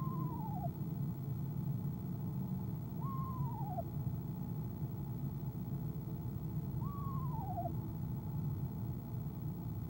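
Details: A female eastern screech owl calls from a nest box on the evening of 25 January 2015 before leaving it: three quavering calls dropping in pitch, spaced about three to four seconds apart, above a low steady drone.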